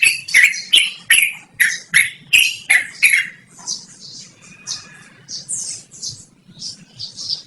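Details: Yellow-vented bulbul (trucukan) in loud, clear, long-duration song, offered for luring or training birds: a run of short, bright notes repeated about three times a second, then quieter higher phrases trailing off.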